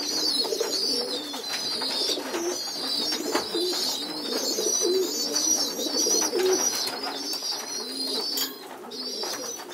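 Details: Indoor group feeding of young pigeons on the floor: constant squeaky, hissing begging from the youngsters with irregular low coos and rustling beneath, then a sudden quieter break near the end.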